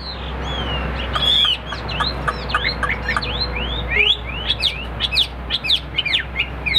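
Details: Competing caged Hwamei with spread tail delivers a rich song of sharp upswept and down-slurred whistles, getting faster and more clipped toward the end, over a low hum.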